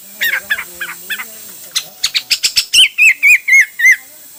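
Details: Hwamei singing varied styles: soft chattering notes over a low hum, a rapid run of sharp chips, then five loud, evenly spaced downslurred whistles.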